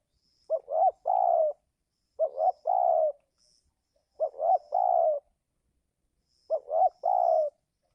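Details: Decoy spotted dove cooing to attract wild doves in giring season: four loud phrases, each a quick double note followed by a drawn-out coo, repeated roughly every two seconds, with a faint high tone between.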